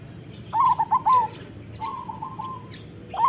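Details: Local perkutut (zebra dove) singing for a master recording meant to stimulate silent doves: a rapid series of bubbling coos, a pause, then a long even coo and another phrase starting at the end.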